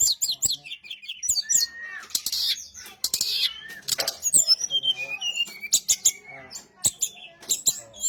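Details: Brown-chested jungle flycatcher singing as a lure for other birds to answer. A dense, restless run of high chirps, squeaky twitters and scratchy bursts, with a faint low hum underneath.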